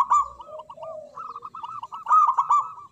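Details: Zebra dove of local stock with a loud voice, singing from its perch: low slurred coos, then a fast bubbling run of repeated notes rising to a loud emphatic phrase.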